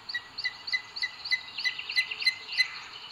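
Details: At a booted eagle nest in Sierra de Guadarrama, Spain, 2 June 2022, the male brings food to the female; a rapid run of short, high, clipped calls, roughly three per second, with a soft hiss behind, caught on a nest camera.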